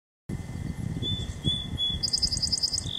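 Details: A male song sparrow sings a few clear, high whistled notes, then a quick trill of about nine notes, singing his song. Low rumbling wind or traffic and a steady faint whine run underneath.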